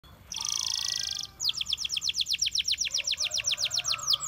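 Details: Canaries singing in the wild: a high buzzy trill, a short pause, then a quick run of descending whistled notes, about seven per second, bright and clear.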